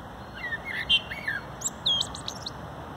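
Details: A common blackbird (Turdus merula) sings from an arbour roof in a park in mid-April, a soft fluty warble of sliding notes, then a higher squeaky twittering flourish, over a faint steady hum.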